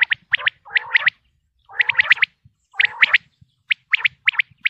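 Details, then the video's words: Common quail (Pakistani batair) repeating a pattern: a low buzzy purr, then three crisp high notes, about once a second, ending with separate short notes. "quail sounds 2023|batair ki awaz 2023|pakistani batair|top sounds of batair"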